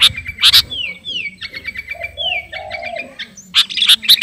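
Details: Sooty-headed bulbul calling to a rival in lively song: clear, descending slurred whistles mixed with short chirps. A few loud, harsh bursts come at the start and the end.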